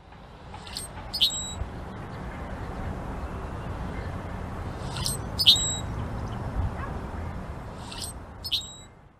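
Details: A blackbird gives three sharp, high chirps spaced a few seconds apart, each brief and bright, over a steady low rumble of distant traffic or wind.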